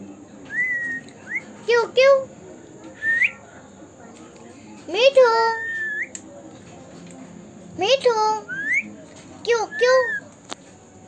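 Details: Pet Indian ringneck parrot talking indoors: short bursts of word-like syllables in a squeaky, human-mimicking voice, mixed with rising whistled notes, coming in clusters every two or three seconds.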